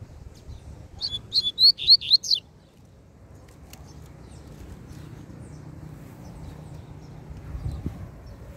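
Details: Loose double-collared seedeater challenging a caged bird, giving one quick phrase of about six high, slurred, buzzy notes over roughly a second and a half, then quiet low-frequency background noise.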